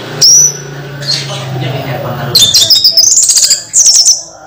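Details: Caged orange-headed thrush undergoing moult gives a lone high whistle, then a loud rapid burst of very high, stuttering trilled notes and squeaks, over a faint low background hum.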